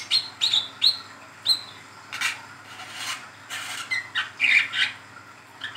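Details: Brown-throated sunbird, young mottled bird, delivering ngeriwik calls as a training lure: a run of sharp tinny chips followed by harsher scratchy bursts and a couple of thin whistled notes.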